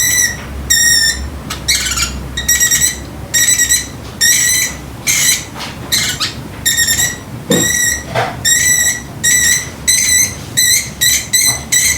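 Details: Pet Pacific parrotlet imitating a timer: bright, tonal, beep-like bursts with ringing overtones, repeated in quick clusters about a dozen times over twelve seconds, each pause brief and uneven, with a quiet indoor background.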